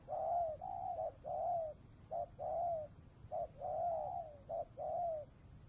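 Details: Spotted dove near the Cambodian border in the afternoon, trapping setting, bắt bổi song style: clear mellow coos in repeated phrases, a brief note then a longer drawn-out coo, roughly one phrase per second, low hum behind.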